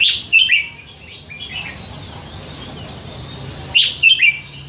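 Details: A red-whiskered bulbul, raised in a cage for nine months after being caught young by a canal and prized for varied songs, gives two separate bursts of clear, lilting whistles with a quiet pause between them.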